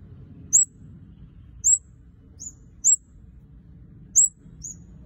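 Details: Red-headed kemade singing actively: isolated sharp, high-pitched chirps, some paired, recurring roughly every second over a faint low rumble.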